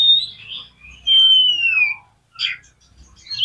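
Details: Oriental magpie-robin song meant to stir up rival magpie-robins, with a warbled opening, a long falling whistle and short rough notes, over a soft low hum.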